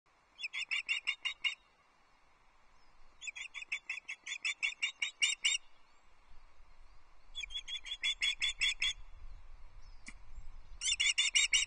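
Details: Female osprey at a Loch Arkaig nest, 15 May 2024, seen on a live nest camera, calling impatiently after spotting her mate before he brings a fish: bursts of rapid, sharp, high whistled chirps in runs of about a second, with short pauses.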